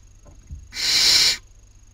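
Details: At a webcam nest in Cabañeros National Park, Spain, during the 2019 breeding season, a Barn owl owlet competing with a sibling over dinner gives a single rasping, snore-like hiss over a faint constant high whine.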